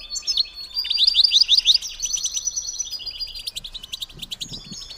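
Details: European goldfinch female calling, played to stimulate males to mate; high, liquid twittering with a quick run of bright repeated notes near the start, then tinkling chatter fading and returning toward the end.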